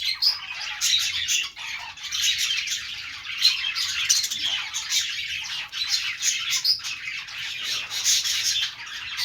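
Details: Long run of budgerigar chatter, continuous scratchy warbles and chirps laced with short squawks and clicks, volume rising and falling.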